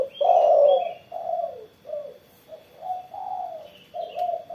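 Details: Spotted dove cooing after morning sunning: a loud, full coo followed by a string of softer, shorter low notes at uneven intervals. Light high chirping and twittering from other birds accompanies it.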